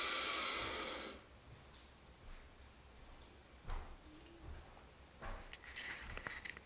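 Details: A turkey vulture chick in an abandoned house in Southern Alberta lets out a loud, breathy hiss lasting about a second, then softer scattered hisses and snuffles in a quiet room.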